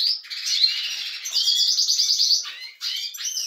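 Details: European goldfinch kept among breeding canaries sings a rich liquid twitter, a long trilled phrase running into buzzy, nasal notes, then a short pause before rising chirps.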